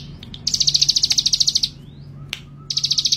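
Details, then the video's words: Male ciblek gunung, a keen and daring singer, gives a rapid series of about twenty crisp, high ticking pulses, pauses with a faint thin whistle, then starts another burst. "Burung Ciblek Gunung Jantan Si Gacor Dan Pemberani"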